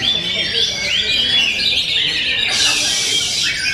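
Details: Oriental magpie-robin singing a dense, rapid stream of varied high chirps, trills and whistled notes without pause, with a harsher, noisier burst near the end.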